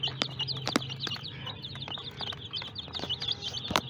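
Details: Group of small, brightly coloured baby chickens giving a steady chorus of high, quick descending peeps, overlapping one another, with clicks and a low hum underneath.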